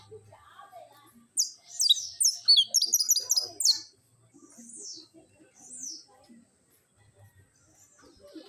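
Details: Saffron finch, known locally as canario criollo or canario da terra, giving a trilled song: a quick burst of high, sharply descending chip notes packed together for about two seconds, then scattered fainter notes and low background murmur.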